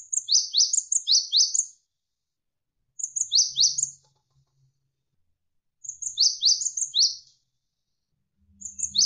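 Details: Javan sparrow (gelatik wingko) tutor song, said to have tight rapid bursts and long runs. Four phrases of high, sharp, falling chirps each last about a second and a half, with pauses between and light flowing water beneath.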